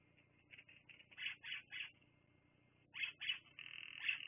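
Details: Bald eagles on a Fraser Point live camera, 10/02/2022 at 16:59: soft chittering notes build into louder high piping notes, a pause, then further piping calls ending in a thin sustained tone.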